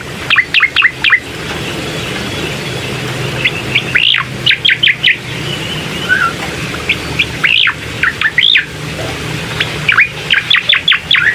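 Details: Lure song of a bar-winged prinia for a bird reluctant to sing: rapid runs of high, sharp chirps and arching sweeps, separated by short pauses, over a low steady hum.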